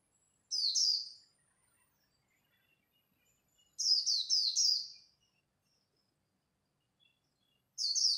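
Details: Japanese white-eye, khuyên líu song while competing at dawn: three separated bursts of piercing high twitters, each of a few fast falling notes, with quiet pauses between.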